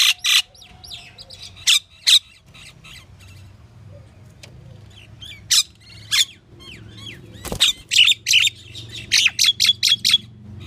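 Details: Varied calls from a pied myna: scattered harsh squawks and soft whistled slurs, then a dense burst of scratchy chatter near the end over a faint low rumble.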